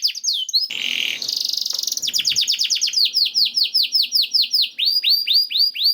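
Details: Canary song meant to prompt other canaries into singing: a brief harsh buzzy burst and rapid trill, then a steady run of clear, repeated downslurred whistles at a bit more than one per second.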